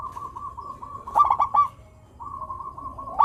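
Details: Zebra dove of local stock: a steady soft coo line interrupted by one burst of rapid broken notes, meant to encourage lazy doves to sing.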